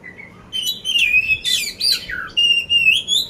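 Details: From Magelang, Central Java, a competition-ready poci oriental magpie-robin sings after a brief quiet start: a harsh buzzy burst, then sweet slurred whistles and clipped phrases at a rapid pace.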